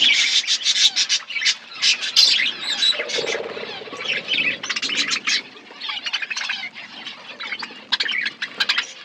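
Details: A budgerigar colony in an aviary set in forest chirps in clustered bursts of rapid, scratchy tweets, separated by quieter spells of lower murmuring, the bursts returning irregularly about every couple of seconds.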